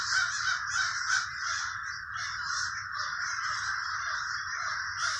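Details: A crowd of crows in Trenton, New Jersey's Villa Park neighborhood caws without pause. The rough, raucous calls pile on top of one another, louder bursts near the start, then a steady wall of sound.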